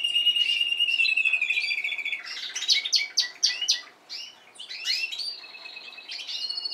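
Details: Caged Spanish timbrado canary from last season, young birds of this season also learning to sing nearby: a sustained rolling trill slides down, then breaks into rapid varied chirps, buzzy bursts and short repeated twittering phrases.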